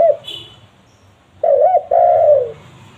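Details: Spotted dove recording used to lure wild doves: one low mellow cooing phrase, two quick wavering coos then a longer drawn-out falling croo, in a quiet setting.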